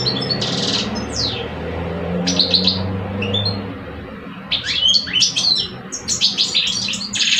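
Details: European goldfinch song duel between two caged males, one older and one two years old: sharp, sweeping twitters and a buzzy note, a lull with low hum, then a fast cascade of tinkling, chirping phrases.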